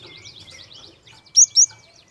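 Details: Java sparrow song meant to provoke young birds to sing. A quiet, buzzy twittering trill gives way to two loud, sharp, high squeaks in quick succession.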